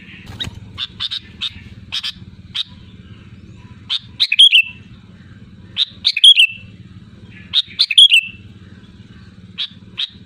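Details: Loud sooty-headed bulbul calling out to rivals. Quick chirps lead into repeated bubbly whistled phrases that fall away at the end, about two seconds apart, with a faint steady hum underneath.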